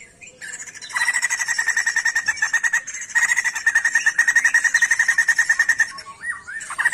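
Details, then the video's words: Sijambul songbird singing vigorously, Indonesian songbird-keeping context: rapid buzzy trill of evenly repeated notes near one steady pitch, with a brief pause midway before the fast pulsing resumes, ending in a few softer slurred notes. "SIJAMBUL GACOR"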